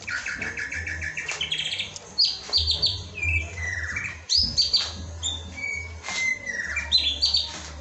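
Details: Training lure meant to coax a white-rumped shama into song: rich, varied whistled phrases, some sliding down and some trilled, delivered in quick bursts with steady low hum beneath.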